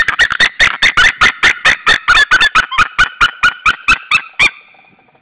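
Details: At an Estonian nest in Saunja, a white-tailed eagle pair shouts toward a rival eagle on an April evening in 2013: a long, rapid run of loud, strident yelping notes that slows and fades out near the end.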